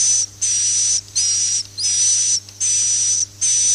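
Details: Swiftlet roosting lure for nest houses: long hissing buzzes overlaid with a thin high whistle, repeated roughly every 0.7 seconds with short gaps, over a constant low hum.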